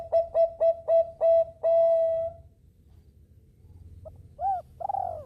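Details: Bangkok-type zebra dove singing to lure other birds into singing along. Six loud, clipped notes speed up into a long sustained tone, then a pause and two arched coos.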